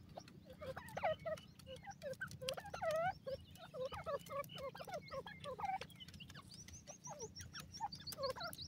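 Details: At home in Pakistan, grey francolins (Dakhni teetar) keep up a dense chatter of bent, rising notes, many overlapping, while thin high chirps repeat near the end over a steady background hum.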